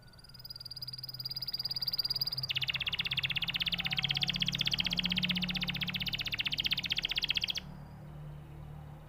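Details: Canary singing a long, fast trill of rapidly repeated high notes, about four per second, steady and rolling for roughly five seconds, preceded and followed by quieter sustained high tones, with a low background hum.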